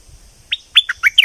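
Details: Short excerpt of a southern Thai streak-eared bulbul, four crisp, slurred chirps spaced irregularly after a quiet start, above a faint constant high hiss.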